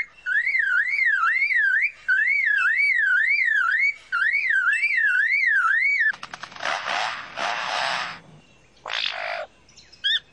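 A lyrebird mimics a car alarm: loud, warbling siren sweeps repeated about three times a second, then harsh, rasping mechanical bursts.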